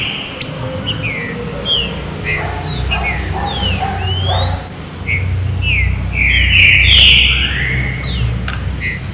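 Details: Green-winged saltator singing the fine 'serrinha' song style, used to warm up other saltators; short slurred whistled notes, rising and falling, scattered through the clip with a longer bright note near the end over a steady low hum.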